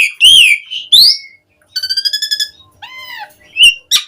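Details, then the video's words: Lure song of an Asian pied starling for getting starlings to sing: two loud swooping whistles, a trilled row of pure stacked tones, a descending arched whistle, and short sharp notes at the end. "Suara Kicau Jalak Suren Mudah Ditiru Buat Pancingan Burung Jalak Agar Gacor Full Isian Mewah"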